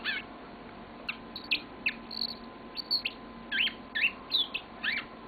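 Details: Yellow-fronted canary pet giving spaced, sharp chirps and short whistled notes, sparser than a full song, over a faint steady hum.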